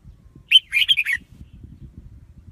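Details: Red-whiskered bulbul gives one quick, cheerful phrase of rolling chirps and whistles, followed by low rumbling background noise.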